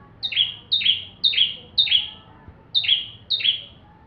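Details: Bar-winged prinia song used as a tutor for white-rumped shamas: six crisp two-part notes, each a sharp high chip running into a lower rasping slur. There is a brief gap before the last two.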